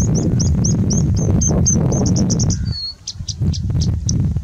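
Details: Singing bush lark in strong wind in India; a rapid, regular series of short high chirps about three per second, followed by a thin falling whistle and scattered sharp notes over roaring wind.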